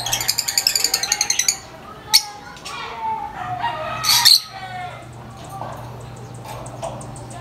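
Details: Lovebird, a very vocal bird, giving a fast run of sharp high-pitched chirps for about a second and a half, then scattered brief squawks and a louder burst near the end over a low steady hum.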